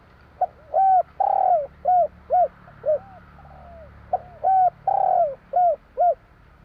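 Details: Two phrases of spotted dove song in the 'kur 3' style, with soft introductory hoots, a long loud wavering coo and three crisp short coos closing each phrase.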